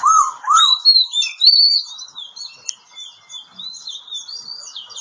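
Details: Oriental magpie-robin from Kebumen, Central Java, giving a varied whistled song: low slurred notes near the start, then higher clear whistles and rising and falling phrases that grow fainter toward the end, with quiet background music.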